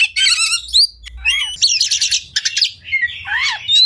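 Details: Kacer, the white-rumped shama, in training song with harsh chattering bursts, a bright upslurred whistle and arched buzzy notes, separated by brief pauses.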